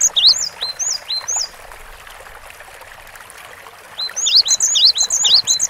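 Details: Lively cinereous tit: bright whistled phrases with a rising note and a high dropping note, a burst, a long silent gap, then a fast renewed series of repeated upslurs.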